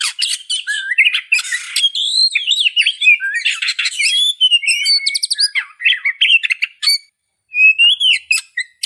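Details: Oriental magpie-robin in continuous, rich song: varied whistled notes, swoops and buzzy rasps, quick repeated chips and short trills, with a brief pause near the end before a rising whistled phrase resumes.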